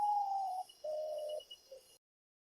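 A potoo gives a mournful, descending series: a long clear whistled note, then a lower, slightly shorter one, and a faint brief third note, over a thin steady hum.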